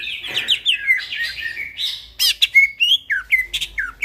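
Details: Greater green leafbird singing at night: a lively run of slurred, warbling whistles and chirps, then a string of short rising and falling whistled notes repeated in quick succession.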